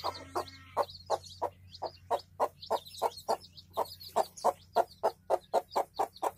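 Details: Hen and chicks in a village: the hen gives rapid, evenly spaced soft clucks, about three per second, while chicks add small high cheeping notes above; quiet background otherwise.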